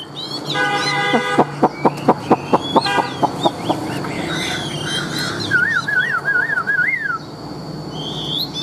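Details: Big-bodied tame caged Chinese hwamei, said to be a loud singer and good fighter, giving a string of sharp clicking notes, then a wavering, rolling whistled trill over steady background noise.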